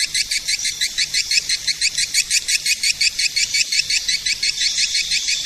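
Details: Calling sound for attracting edible-nest swiftlets, made of evenly spaced, high, buzzy twitters repeating close to three times per second in an unbroken chain.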